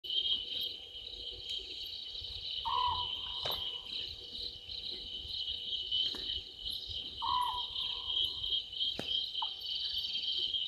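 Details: Small owlet in a tree at Gowrie dam waterhole, Djuma Game Reserve, Sabi Sand Wildtuin, South Africa, at 00:38 at night on 11/12/2023: two low, purring one-second notes about four seconds apart over a loud, steady insect chorus.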